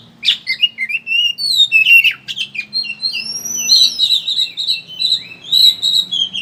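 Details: Oriental magpie-robin giving ngeriwik chatter as a singing lure: opening scratchy chirps give way to long smooth rising and falling whistles, then renewed twittering, over a soft low hum.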